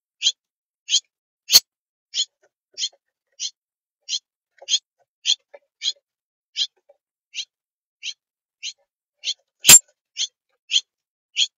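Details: Baby bird asking for food at a bird feeder: sharp high chirps repeated about every 0.6 seconds in a steady series, with two loud broadband clicks or knocks partway through.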